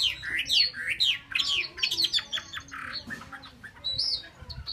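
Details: Chinese hwamei, kept caged in Vietnam, pours out fast varied whistles and sharp downslurred notes, mixed with rougher buzzy elements, ending in a few high thin whistles.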